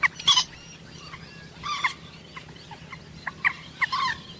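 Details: Common moorhen calling: three loud, harsh, broadband croaking bursts spaced about two seconds apart, with fainter short chirps between them over a steady low background hum.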